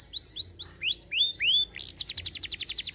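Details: Canary singing to spur other birds: a series of rising slurred whistles that lengthen and drop lower, then a fast, loud, buzzy high trill.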